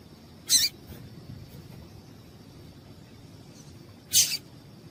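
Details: A female Yellow-bellied Seedeater gives two brief, high, thin chips about three and a half seconds apart, over a faint steady hiss; the female's call is played to stimulate male seedeaters to sing.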